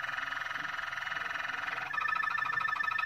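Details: Singing Moroccan Malinois canary delivers a continuous throbbing roll, rich and slightly hoarse, then switches near the two-second mark to a clearer, faster-pulsed ringing trill.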